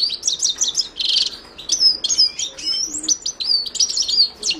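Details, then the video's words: Himalayan goldfinch song: rapid, sweet twittering with a short buzzy rasp near the start, then run-together chirps and slurred whistles, continuous and bright. "تغريد حسون الهيمالايا chant de chardonneret hymalaya"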